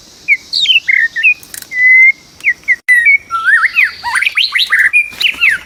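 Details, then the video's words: White-rumped shama, wild, recorded while being trapped: a rich run of whistled phrases, including a long steady whistle, then rapid swooping and warbling notes that rise and fall, against faint insect buzz. "MIKAT BURUNG MURAI BATU DI ALAM LIAR"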